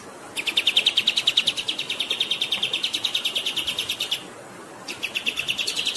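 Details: Grey-headed Canary-flycatcher tutor song with water flowing: a rapid, steady trill of high clipped notes lasting about four seconds, a short pause, then the quick series starts again.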